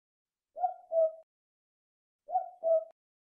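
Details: Tawny frogmouth (Podargus strigoides) call: soft, hooting two-note calls, the pair repeated after a pause.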